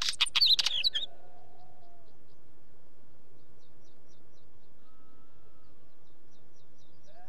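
A Wheatear gives one brief, scratchy, crackling burst of song lasting about a second. Faint high ticks and a thin whistle follow over a steady background hiss.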